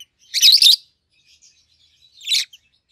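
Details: Peach-faced lovebirds kept as a bonded pair, 7-8 months old, red-headed green opaline and red-faced dark green; one long shrill, grating chirp burst, then near silence, then a shorter harsh squeak.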